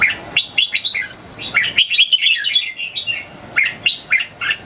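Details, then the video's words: Young red-whiskered bulbul singing in answer to other bulbuls: bright, mellow whistled phrases of quick rising and falling notes, a longer warbled run in the middle, then short chirped notes. "Merbah Jambul Suara Merdu."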